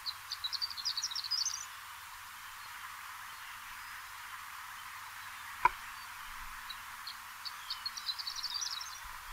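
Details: Horned lark song, typical of coastal tundra areas in Newfoundland: two faint bursts of high, thin tinkling notes like a tiny bell, over a steady background hiss, with one sharp click between them.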